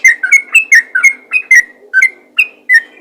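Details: Yellow-vented bulbul in energetic 'ropel' fighter-style song, used to lure other bulbuls: loud clear whistled notes, rapid and slurred, repeated about every quarter second, with no other clear sounds.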